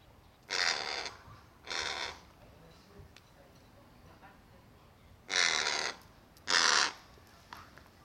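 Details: Crows contesting snacks, one swift bird stealing all the food given to the other, which shadows it waiting for a drop; four harsh caws in two pairs, a pause of about three seconds between pairs.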